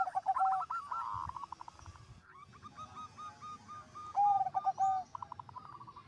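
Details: A chorus of zebra doves in vigorous song, one setting off the others: fast clipped coo notes in strings with smooth, lower drawn-out coos, and a faint low rumble in the background.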